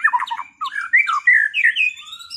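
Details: White-rumped shama recovering from moult, in a duel to restore performance: harsh squawky chatter followed by rising and falling whistled slurs, loud and close.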